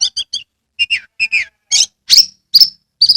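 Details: Oriental magpie-robin in captivity, singing with open tail: quick triple chirps, then descending slurred whistles and loud sharp notes ending in a buzzy trill.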